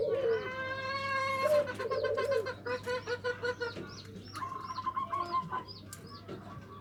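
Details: Local zebra dove singing in the 'nutut' style, used as a lure to provoke rival birds: drawn-out tonal notes with stacked overtones, then a fast run of pulsed, bubbling coos, about three a second, while other small birds chirp high above.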